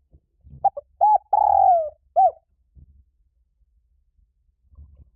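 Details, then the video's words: A spotted dove's call, used to stimulate doves into calling: brief clipped coos, an arched hoot, a drawn-out descending coo and one final rounded note, followed by quiet with faint low thumps. "Tiếng chim cu gáy kích bổi nhanh nổi cực nhạy"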